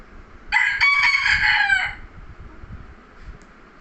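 A rooster gives one loud, harsh crow lasting about one and a half seconds, rising then holding and trailing off, over a low background hum.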